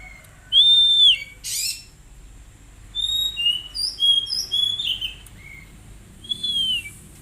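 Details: Oriental magpie-robin song used as therapy for untrained birds: a loud arched whistle and a rasping burst, then a varied sequence of short clear whistled notes jumping between pitches, ending with another arched whistle.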